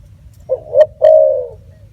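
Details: Spotted dove giving a brief stuttered coo, two quick notes then one long, drawn-out low hoot that slowly fades, with soft low background hum.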